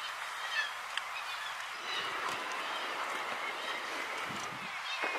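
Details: Black-legged kittiwakes (Rissa tridactyla) at Látrabjarg, Iceland, June 2019: a dense, continuous chorus of harsh, nasal calls from many birds at once, overlapping into a steady colony din.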